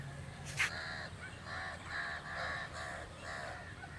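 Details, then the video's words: {'text': 'Crow uttering a steady string of about six harsh caws, each roughly half a second apart, after a brief sharp click.'} "The amazing birds natural crow sound"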